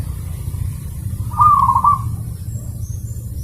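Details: Zebra dove song for training pet birds: one clear phrase of quick, rippling coos in the middle, with a low hum beneath and faint high squeaks afterwards.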